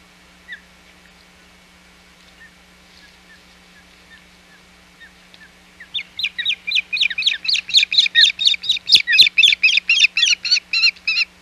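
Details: Osprey at its Hog Island nest, 21 June 2020, as fish is brought to the chick: after a few soft peeps, a rapid series of loud, high, whistled chirps repeats about four times a second for over five seconds.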